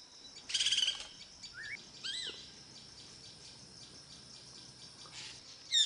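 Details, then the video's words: Greater racket-tailed drongo calling in Melghat Tiger Reserve: a harsh broadband burst, then short rising whistled notes and a clipped two-part phrase, over a steady high insect drone. "raket tail drongo call"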